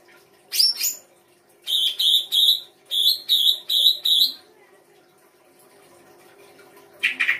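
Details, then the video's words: Songbird heard on full song-fill material from the Indonesian bird-song hobby: a sharp opening chirp, then seven evenly spaced, ringing high notes in two groups, a pause, and a final buzzy burst. "FULL ISIAN RAI GOSONG K9NCER"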